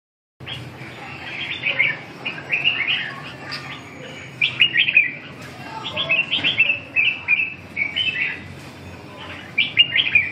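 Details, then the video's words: Red-whiskered bulbul, known in Vietnam as chào mào, singing in training: a long run of bright, warbled chirps and short whistled phrases repeating every second or so against a noisy background. "dợt cm"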